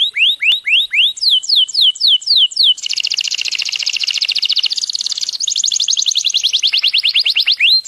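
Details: Yellow canary singing at length: a run of clear rising then falling whistled slurs, then a fast buzzy trill of rapid repeated notes lasting several seconds, followed by more quick trilled phrases and a final upslurred whistle.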